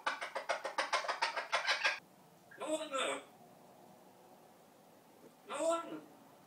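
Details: Pet talking parrot, two years with its owner and said to know about 80 words, mimicking sounds indoors: a rapid run of about ten clucking pulses, then a pause and two short word-like phrases with voice-like tone.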